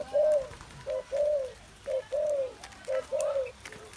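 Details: Spotted dove, kept in captivity, giving clear low cooing phrases, a short note followed by a longer drawn-out coo, repeated about once a second, with a quiet noisy background.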